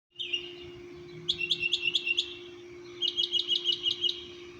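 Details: Wild birds singing at 6:30 am at an apartment complex in Orlando, Florida: two quick runs of bright, high chirps, about eight notes each, separated by a pause, over a steady low mechanical hum.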